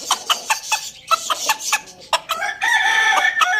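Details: Farm-village rooster feeding on tomato with other roosters: quick rhythmic clucks and pecking sounds first, then a loud, sustained, strongly harmonic crow that runs to the end.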